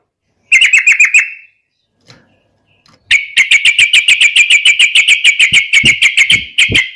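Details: Yellow-vented bulbul fighting song to provoke opponents: a brief quick trill, a pause, then a long fast run of evenly repeated sharp chattering notes lasting about four seconds.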